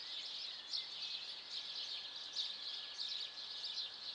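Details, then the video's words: Many birds singing in a city on a morning in mid-April around 7:15, a dense, continuous high-pitched twittering chorus with a few brighter chirped notes rising above it, no other clear sounds. "Le chant des oiseaux"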